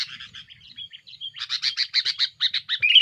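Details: Aggressive rival-pressuring song of a sooty-headed bulbul, used as a lure: softer scratchy notes and a short whistle, then a loud even series of harsh buzzy chirps.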